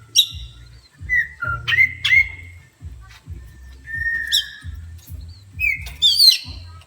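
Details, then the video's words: Oriental magpie-robin excited by a horn sound gives a string of separate whistles. Some are short level notes, others sharp upward flicks, ending in a squeaky rising flourish. A steady low beat plays underneath. "Kacer emosi tingkat tinggi di klakson langsung emosi"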